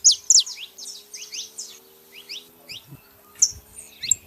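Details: Saffron finches, female and male, giving quick high chirps and short downward-sliding notes in a loose burst that fades, followed by a few isolated sharp notes and faint low knocks.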